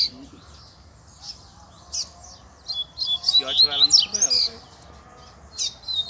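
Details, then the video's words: Wild double-collared seedeater in the bush, drawn in with a lure, gives bursts of rapid, high, twittering and warbled notes, bunched in the middle of the stretch, over a low steady hum. "COLEIRO NO MATO TOP ATÉ FILHOTE PIANDO APARECEU!!!"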